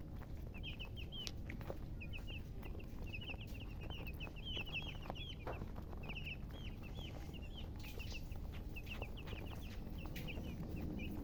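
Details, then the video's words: Colour chickens, locally called murgi, chirping: a steady stream of short, high, up-and-down peeps, often in quick pairs or runs, several birds overlapping through the whole stretch, over a constant low rumble of background noise. "silly chicken chirping sounds"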